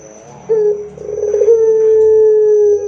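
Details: Barbary dove song used to prompt other doves to sing: one coo with a short opening note, a trembling rolled middle and a long, steady, low hum of over a second. A soft low rumble and a high, constant whine sound in the background.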